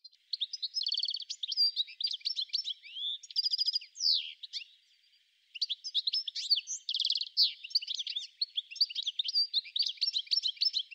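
A European goldfinch sings a bright, tinkling twitter of quick high notes mixed with buzzy trills, pausing about a second midway before continuing.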